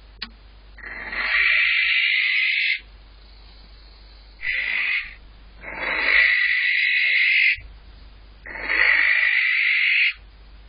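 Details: Barn owl calling for a mate in March while visiting inside a nest box: long harsh hissing screeches of about two seconds each, four in sequence separated by short pauses, with a low background hum.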